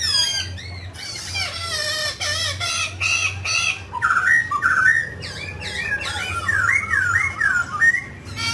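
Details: Mutant grey laughingthrush singing and dancing: a long mix of harsh arching squawks and rich warbled whistles, growing more melodic toward the end, with steady background hum.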